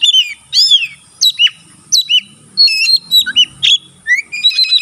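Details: Caged white-rumped shama singing with its tail spread, a song said to stimulate other shamas to sing: varied whistled phrases, rising and falling slurs and quick chirps in short bursts separated by brief pauses, with a steady faint high hiss.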